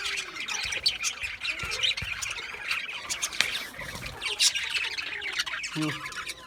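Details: Budgerigars chirping together, a dense busy chatter of short squawky notes and warbles, continuous with no pauses, many birds overlapping throughout.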